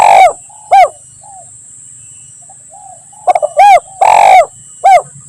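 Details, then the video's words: Spotted dove lure recording for forest trapping, 'lambung Kuk 1 Mersik' style: two short coos with soft faint notes between, then quick stutters, a short coo, a long harsh coo and a closing coo, over a constant high whine. "Suara Burung Tekukur Gacor || Pancingan Suara Tekukur Paling Di Cari Pemikat"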